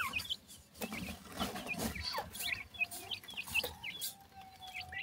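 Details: Grey francolin (sindhi teetar) chicks: many short, high, thin peeping chirps repeated in quick succession over a rustling, noisy background.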